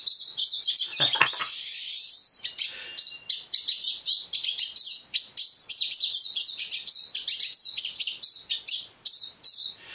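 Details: Pine Siskin song, from a bird at a feeder in Eastern Ontario: a fast, continuous jumble of high twitters and chips, with a long buzzy, rising wheeze near the start.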